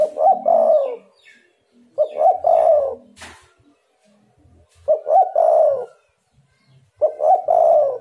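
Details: Spotted dove lure call meant to make rival doves respond: four soft, throaty coo phrases at irregular gaps of two to three seconds, each a short double note then a longer falling coo, with one sharp click heard midway.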